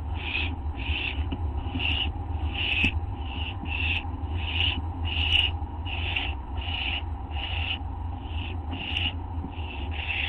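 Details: Barn owl young begging during a feeding at 5:59 AM, 15 August 2011; a continuous series of short, raspy hissing screeches, about one and a half per second, over a persistent low drone.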